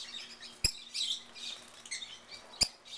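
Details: Shrill, high squeaky chirps from wild peach-faced lovebirds in a Mesa, Arizona backyard, several short bursts overlapping, broken by two sharp clicking knocks and a faint low hum.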